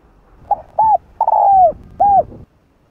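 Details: Lure cooing from a spotted dove sung in the field style: a quick stutter, a rounded coo, a long descending drawn coo, and one more rounded coo before silence.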